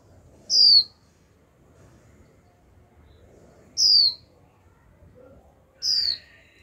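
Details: Young female white-eye, a cage bird, calling 'chíu' over and over so a male starts singing. Three loud, high, downslurred whistles about every three seconds; a softer chirp from another bird overlaps the last.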